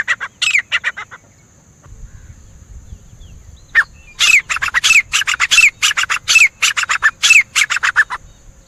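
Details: Grey francolin calling, loud harsh notes given in a rapid rhythmic series, first a short burst, then after a pause a longer run of strident repeated phrases with a rising inflection, about one and a half per second; quiet background.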